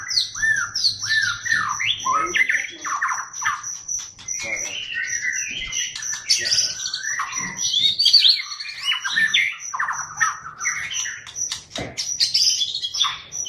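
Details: A Medan white-rumped shama pours out a loud, rich song of rapid chattering bursts mixed with fluty whistles and rising and falling phrases, over a thin, steady high whine.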